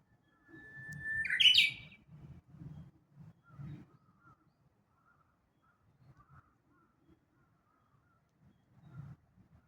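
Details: Japanese bush warbler song recorded at Kashiwanoha Park, Japan, May 2025. A drawn-out level whistle breaks sharply into a bright upward-flicking ending, followed by scattered low thumps and faint distant high notes.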